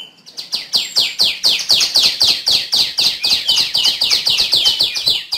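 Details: A steady stream of sharp, high chirps from a female tiểu my bird, each note sweeping down in pitch, repeated about four per second for over five seconds.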